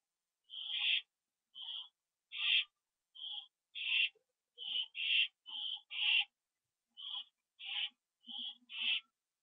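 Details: Two owls back at the nest at 7:08 PM on 27 September 2011, on a live camera; loud, clear sequence of about thirteen short screechy high calls, alternating smoother and noisier notes at a quick, uneven pace.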